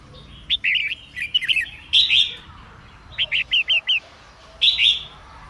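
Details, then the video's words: Female red-whiskered bulbul singing to stimulate males into song: loud slurred whistled phrases, rising and falling notes in quick bursts, then a run of four short upslurred notes and a final warbled phrase. "chào mào mái hót kích trống căng lửa"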